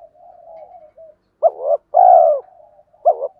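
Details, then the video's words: Male and female spotted doves coo to stir up training birds: low soft murmur, then one loud phrase of a short double note and a drawn-out falling coo, another phrase beginning at the end. "Chim cu đất thúc gù"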